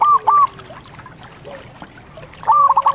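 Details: Local zebra dove: two rising cooing notes at the start, a quiet gap, then a phrase of rapid stepped rolling coos at the end over a soft steady background.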